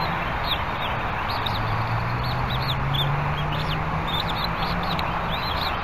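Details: Bald eagle pair at the Berry College nest, 21 February 2019, mid-morning; the female leaves as the male comes in. Repeated high, thin chittering calls run throughout, with a low steady hum and constant hiss underneath.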